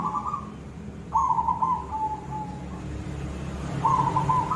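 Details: Silver zebra dove in koong-style song: a short trilled phrase, then a rattling coo that falls into a drawn-out lower tone, followed by another bubbling trill over steady low rumble.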